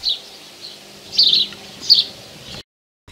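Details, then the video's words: A sparrow in a garden near Arras, France, in summer gives its short, bright chirping call, the source of its nickname 'Piaf', repeated at irregular intervals. "Le moineau utilise cet appel, sans doute à l'origine de son surnom de Piaf."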